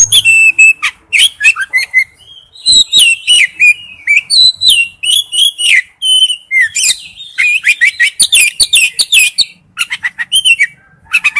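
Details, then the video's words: Male oriental magpie-robin calling to a female: a loud, nearly continuous run of varied sweet whistles, sharp chips and chattering trills, with bursts coming in quick succession and only brief pauses between phrases. "tiếng chích chòe than gọi mái/chích chòe than trống kêu"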